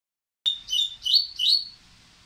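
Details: Dubois's seedeater, excited and working up to sing, gives a short phrase of four whistled notes, the first a sharp clean note, then three bright slurred notes in quick succession, ending with faint background hiss.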